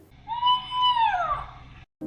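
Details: A Devil Bird (Ulama) of Sri Lanka, whose wail is likened to a woman's or child's death cry and is heard in forest at night, gives one long, mournful, human-like wail that holds pitch, then slides down and fades after about 1.5 seconds.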